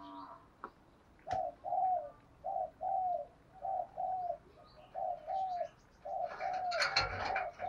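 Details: Spotted dove coos heard outdoors, used as a wild-bird lure: a run of soft, even, down-slurred notes repeated roughly every half second over a hissy background, ending with busy high chirping and clicks.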